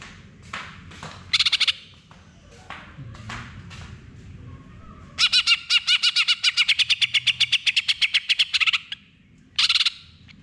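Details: Greater green leafbird in full song, played to prompt a silent bird into singing: scattered short chirps early, then a fast run of sharp, repeated bright notes for about four seconds, followed by a final burst; faint low hum beneath.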